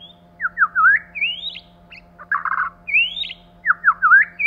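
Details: White-rumped shama, male and female: down-slurred whistles, rising looped notes, a harsh buzzy burst, then a long upward whistle and more falling slurs.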